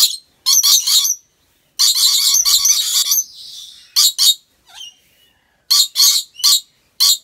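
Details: Short piercing screeches and a sustained scratchy chatter from a rainbow lorikeet kept in an Aceh Besar animal park, Indonesia, delivered in bursts with brief silences.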